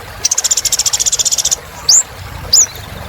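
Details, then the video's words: Energetic kolibri ninja sunbird song: a rapid even trill of about fifteen high ringing notes, then two separate sharp upward-sweeping whistles. "Kolibri Ninja Gacor Untuk Terapi Burung Macet Bunyi"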